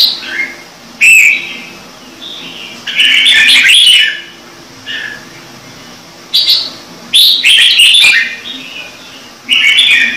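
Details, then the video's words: Red-whiskered bulbul singing bursts of clear, bubbling whistled notes spaced a few seconds apart over a low background hum. "CHÀO MÀO | Trung Mang hót giọng chuẩn cực hay - Bổi nghe là hót"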